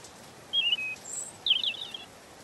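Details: Two separate phrases from a European robin: a pair of slurred whistles, then a brighter, twittering flourish of rapid high notes.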